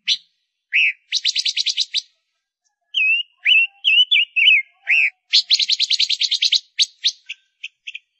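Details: Female Gouldian finch kept as a lure bird, singing: quick buzzy trains of rapid pulsed notes alternating with short wavering whistled notes, then another long rattling buzzy series ending in a few separate chips. No other sounds.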